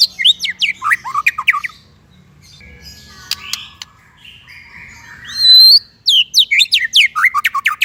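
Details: White-rumped shama song meant to teach and stimulate untrained or silent shamas: a quick series of falling whistles, a quiet stretch of soft trills and clicks, one loud rising note, then another rapid burst of sharp chirps.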